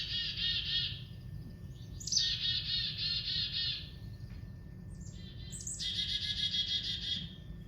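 Black-capped Chickadee giving its namesake chick-a-dee call three times: a couple of high, thin introductory notes, then a run of harsh, buzzy dee notes, over a low background hum.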